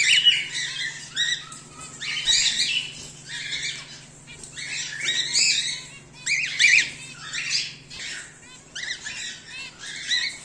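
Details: Home-bred cockatiels including a whiteface emerald and an exhibition grey male produce loud, harsh squawks in dense bursts, easing briefly mid-clip, then resuming, with a faint steady hum behind.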